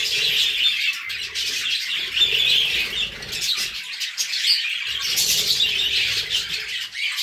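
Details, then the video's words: Continuous twittering warble from budgerigars, with cockatiels also present, made of many scratchy high notes layered together and a few clearer whistled squeaks. "budgies song"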